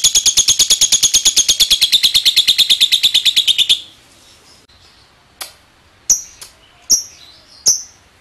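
A lovebird gives a long, rapid chatter of shrill ticking notes, about three per second, then falls silent before a few sharp separate chirps.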